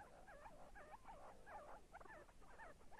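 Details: Repeated squeaky see-see partridge call: twisting, rising-then-falling whistled notes given roughly twice a second in an even series over a faint background hiss.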